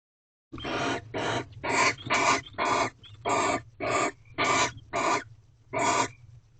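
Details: Barn owls at an owl box in a corral during mating, sixth night, 24 February 2023 around 6 am: harsh, hissing screeches in a rapid series, about ten bursts within six seconds, over a low steady hum.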